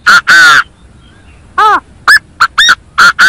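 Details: Chinese francolin calling, played as a lure for bird trapping: a loud, harsh, ringing phrase of about six clipped notes, the first two longer, a pause, then a rising note and a quick run of short ones.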